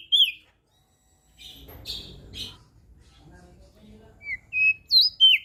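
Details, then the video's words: Crested white-eye from Lombok, sung to coax reluctant birds into singing: a few high whistled notes open the clip, then after a quiet spell a low rumble and a string of sliding, rising and falling whistles at the end. "Opior JAmbul Laombok Gacor Suara Merdu - MAsteran Dan Pancingan Burung Malas Bunyi"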